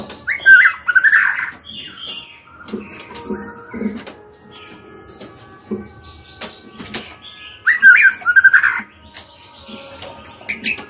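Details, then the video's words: Female white-rumped shama, kept as a cage bird, singing to provoke males into answering: two separate short phrases of rich, tumbling warbled notes several seconds apart, with soft scattered sounds between. "Murai batu betina gacor/lửa mái hót cực hay, dụ bổi mau mở mỏ, dụ trống hót đấu ngay!"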